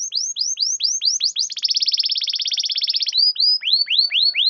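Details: A canary sings to lure reluctant canaries into singing. Curved whistled notes give way to a fast rattling trill, then the curved notes return, ending in a descending run.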